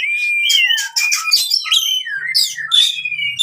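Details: Oriental magpie-robin fighting song used to train birds that have stopped singing: a long clear whistle sliding down, then a rapid jumble of varied whistles, buzzy notes and harsh chatters.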